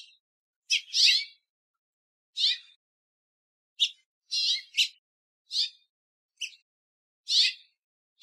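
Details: House finches calling in a backyard give short, bright, sharp chirped notes, singly or in quick pairs, at an uneven pace of about one per second, with no other sounds.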